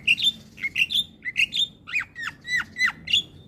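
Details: Javan myna singing in the morning, a model for young mynas: about a dozen clear, slightly falling whistled notes, given in pairs and singles at a steady pace.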